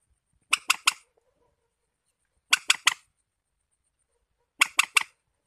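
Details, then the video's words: Warbler chattering in three-note rasping bursts that repeat about every two seconds, with silence in between. "tiếng chim chích"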